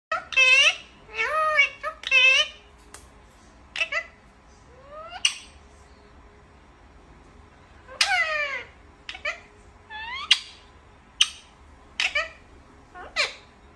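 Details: Blue and green Indian ringneck parakeet talking in short bursts of high, squeaky, speech-like syllables with sharp whistled upsweeps and brief pauses, indoors with a faint background hum.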